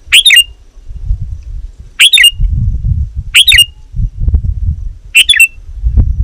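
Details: Sooty-headed bulbul calling rivals, used to lure wild birds: short loud chattering bursts with a sharp squawky note, repeated roughly every one and a half seconds, four bursts over low rumbling background noise.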